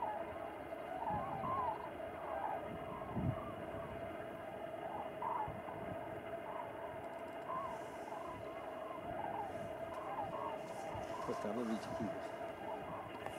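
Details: A distant flock of common cranes on Strabrechtse Heide on 4 March 2018 gives rolling, trumpeting calls that overlap and repeat every second or so, over a steady low rumble.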